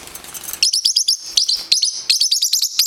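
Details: Pet parrotlet, nine weeks old, chasing another bird in play: short clusters of shrill, high chirps fired off rapidly, loud against a quiet room.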